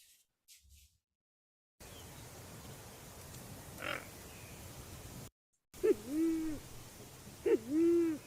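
Band-tailed Pigeon giving two deep, owl-like hooting calls, about two seconds apart, after a stretch of steady hiss.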